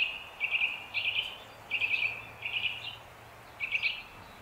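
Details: Eurasian nuthatch heard in a quieter, noisier recording: short bursts of rapid, chattering high notes in five groups, with a low steady hum underneath.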